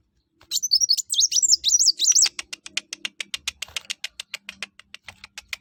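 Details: Kolibri wulung (Brown-throated sunbird) singing actively to prompt other birds to sing: a rapid two-second run of high swooping whistles, then a steady series of sharp dry clicks about five per second.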